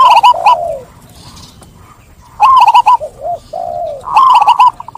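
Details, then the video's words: A local zebra dove sings clearly to set off other birds: rapid rolling coos alternate with low, drawn-out descending notes, in three bursts separated by short pauses. "Perkutut Lokal Gacor | SUARA JERNIH Mengajak Yang Lain Ikut Bunyi"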